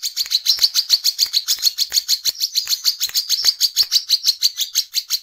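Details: Brown-throated sunbird in continuous 'ngecret ngeplong' song, used to call others of its kind: a steady, unbroken chain of shrill chirps, roughly three to four each second, with faint clicks underneath.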